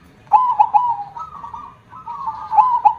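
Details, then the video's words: Zebra dove (perkutut) with a big 'kong' voice: a few quick coo notes, a long wavering trilled coo, then more clipped notes starting again at the end. "gacor suara besar KONG - perkutut mana yg gak merinding dengarnya."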